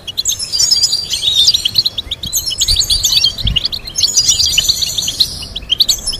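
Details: European goldfinch song for teaching captive birds complex melodies: dense rapid twittering with tinkling trills and buzzy notes, high-pitched and continuous, with faint low thumps beneath.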